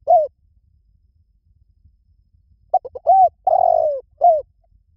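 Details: A spotted dove's liw tan coo, meant for training a dove to coo back: a lone short note, a pause, then a phrase of three quick clipped notes, a rounded coo, a long falling note and a short final coo.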